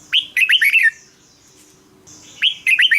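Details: ['Red-whiskered bulbul giving two lively whistled phrases of rapid, bubbling notes separated by a second-long pause, with a faint low hum beneath. The song is played to stir caged birds or to lure others.']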